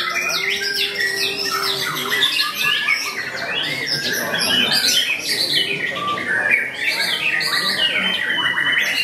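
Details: White-rumped shama at a bird-song contest, singing in a fierce fighting style: a dense, rapid run of rich whistles, sharp chips and harsh squawky notes, overlapping with other songbirds singing nearby.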